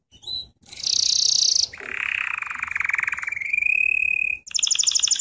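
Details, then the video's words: Canary song recorded as a singing lesson for training: a bright high buzzy tour, then a long lower rattling trill gliding steadily, ending in a rapid high pulsed trill. "Canary Singing - lesson 33"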